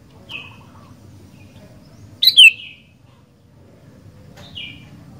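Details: Sooty-headed bulbul singing: a soft downslurred whistle, then a loud sharp double-note phrase, then another fading slurred whistle, spaced about two seconds apart against a steady low murmur.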